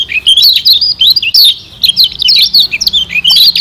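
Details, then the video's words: Lombok white-eye (kecial kuning) used as a lure to stimulate wild birds. It gives an intense, packed stream of high, squeaky chirps and zigzagging warbles with only brief breaks. "Pancingan Kecial Kuning"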